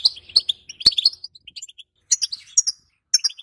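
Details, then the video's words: Female European goldfinch betbeta call with setsete, meant to rouse silent males for breeding; a dense flurry of liquid chirps followed by a pause, then separate bright chirp bursts. "بتبته مع ستسته حسون اسطورية لتحفيز وتهيج الحسون الصامت وتجهيز الحسون على التزاوج"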